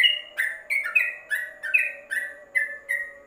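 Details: Tutor song from a caged yellow-vented bulbul under a cover: clear chirps with brief upward flicks, about eight notes in a few seconds, paced steadily over a faint drone.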